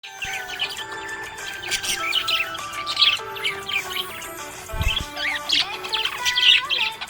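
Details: Happy budgerigar chirping: dense, busy chatter of short scratchy chirps and quick warbled notes, nearly continuous with brief pauses, over steady background music with sustained tones.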